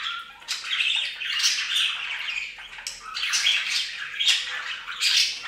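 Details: Domestic budgies at bath time on a bird fountain squawk and chatter continuously, rasping notes and twitters in overlapping waves.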